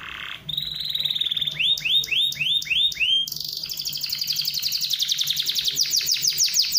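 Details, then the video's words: Canary song meant to make other canaries answer: a short buzzy note, a high trill, a series of rising swept whistles about three per second, then a fast rattling trill of rapid notes. "PANCINGAN KENARI.. KENARI MALAS LANGSUNG NYAUT"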